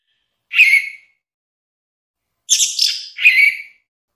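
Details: Orange-headed thrush song, a compilation for training other songbirds: a short warbled phrase near the start, then after a pause two richer buzzy-whistled phrases; clean background.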